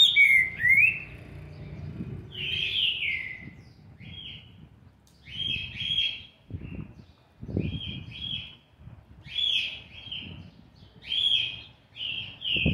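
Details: Seven-month-old young green-winged saltator singing a series of rich whistled notes, each sliding downward, delivered in short phrases about every second or two across the recording, with soft low rumbling background sounds in the gaps.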